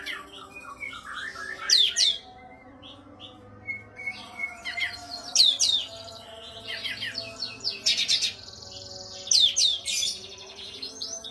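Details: Masteran song of an Oriental white-eye, kept to train songbirds. Quick, high chirping phrases with piercing falling notes come in clusters every second or two over a constant faint background hum.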